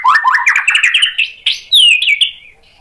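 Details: White-rumped shama provoked into singing: a quick rising series of repeated warbled notes climbing in pitch, ending in a clear falling whistle.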